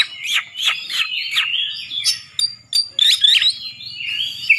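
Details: Oriental magpie-robin giving loud competition song meant to stir up rivals; a rich, shifting sequence of sweeping whistled phrases and sharp chirps, some notes rising and falling quickly, delivered in continuous bursts over a quiet background.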